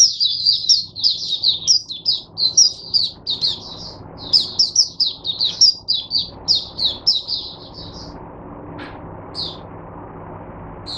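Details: Caged oriental white-eye singing as a teacher bird for other white-eyes, recorded 22 January 2022: a rapid run of high, thin, twittering notes for about eight seconds, then a few scattered chirps over faint low hum.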